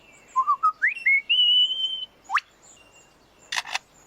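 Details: A male lyrebird singing in forest to outsing rivals gives clear whistled notes stepping upward and a sharp rising whip, then a crisp double click mimicking a camera shutter.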